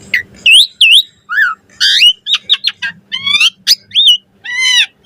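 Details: Varied chattering song of an Asian pied starling meant for tutoring caged birds: looping whistled notes, upslurred and downslurred phrases, harsh rasping bursts and a low arched note, delivered in rapid succession.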